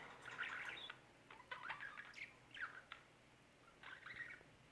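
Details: Indoor pet bird calling after a slow introduction to a newcomer, its first bird contact in over a year: scratchy warbling chirps in short bursts with brief pauses between.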